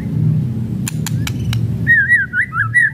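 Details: White-rumped shama giving kretekan song, meant to provoke other shamas into singing: a few sharp clicks over low rumbling hum, then a loud wavering whistled phrase rising and falling for the final second.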